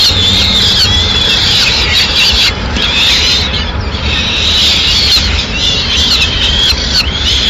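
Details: Peregrine falcon nest in Madrid, 6 May 2016, female delivering a pigeon: two long stretches of hoarse, wavering screams separated by a brief lull, with background noise throughout.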